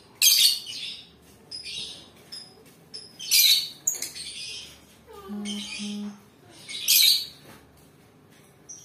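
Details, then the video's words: Lovebird chirping in bursts of sharp, high, harsh chirps about every one to two seconds, with a brief low humming tone between bursts. "Suara kicauan Lovebird"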